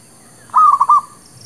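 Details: Zebra dove, locally merbuk kampung or perkutut lokal, recorded as a lure for trapping and for newly caught birds: a single short phrase of four quick, rolling cooing notes, steady in pitch, over a quiet background.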